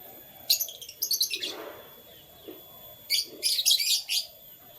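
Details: Morning canary chirping: two clusters of rapid, high, sparkling tweets, each a tight burst of notes lasting about a second, separated by a quiet pause with faint low background sounds.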